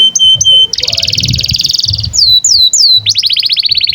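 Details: Canary song used as a master recording for training young canaries: a pure whistled note, then a fast buzzy trill, loud downslurred whistles, and a rapid rattling series of falling notes.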